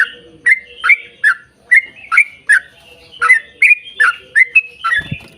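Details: Yellow-vented bulbul in energetic 'ropel panjang' long rapid song, played to lure other bulbuls into singing: a lively string of short bubbly, gurgling notes, roughly two to three each second, over a faint steady low hum.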